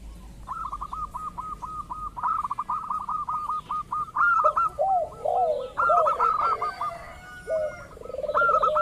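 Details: Local zebra dove recording used to prompt rival doves to call; a long steady train of fast repeated clipped notes, later joined by lower swooping, gurgling coos.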